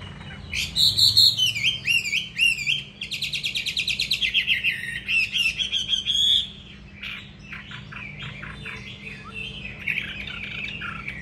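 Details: Caged, tamed fighting hwamei in Hà Nội, Vietnam, delivering a rich, fast song of varied whistled and slurred phrases, loud for six seconds before fading into softer, scratchier notes.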